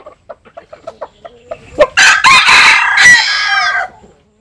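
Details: Bantam chicken, Japanese and Cuban bantam type, crowing while sunbathing in rural southern Vietnam; a series of soft clucks leads into a loud harsh multi-part crow lasting about two seconds.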